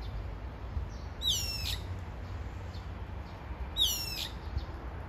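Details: A brown-eared bulbul calls for its mate with two shrill, strained, downward-sliding squeals about two and a half seconds apart, each lasting roughly half a second, against a constant low hum.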